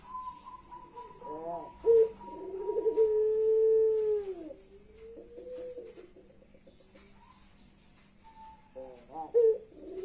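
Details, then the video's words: Puter pelung ringneck dove calling: stuttered notes lead into one long, steady, mournful coo that drops at the end, followed by quieter wavering notes and light background noise. "Puter Pelung Suara Menangis"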